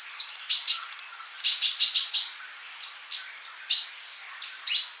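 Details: Sunbird song: a thin whistle, then groups of three to four rapid bright chirps separated by short pauses, each phrase high and sweet.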